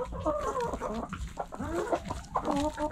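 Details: Hens clucking in a backyard coop, a dense chatter of overlapping harmonic clucks and warbling notes from many birds.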